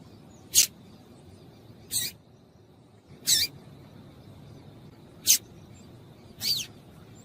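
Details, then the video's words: Female yellow-bellied seedeater, calling to get males singing; six crisp, high, hissing chips spaced roughly one to one and a half seconds apart, some slightly drawn out, over low hiss. "Piado de Fêmea de Papa capim Para Esquentar Papa capim"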